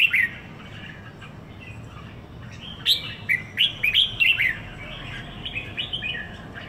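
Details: Red-whiskered bulbul kept in a cage in Singapore for one week sings a lively series of short, bubbling whistled notes, quickly repeated, then trailing off into softer chirps.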